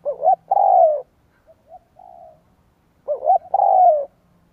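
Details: Cooing spotted dove used to lure wild doves: a loud wavering double note and long falling coo, a few soft short coos, then the same loud phrase again about three seconds later.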